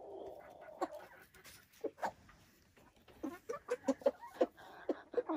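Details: Silkie chickens on a Vermont homestead, a low murmuring note followed by a series of short, sharp clucks repeated about three times a second, growing louder toward the end.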